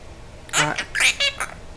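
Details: Indoor Quaker parrot talking, repeating a phrase the owner confirms as pretty pretty bird: four raspy, voice-like syllables with a ringing tone on the third, over a quiet room.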